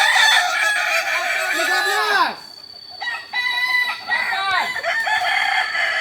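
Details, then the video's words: Kokok Balenggek roosters training together at Ampang Kualo, Solok, West Sumatra: a long stepped crow ending in falling drawn-out notes, a brief lull, then further crows with downward-curving syllables. "Ayam kukuak balenggek"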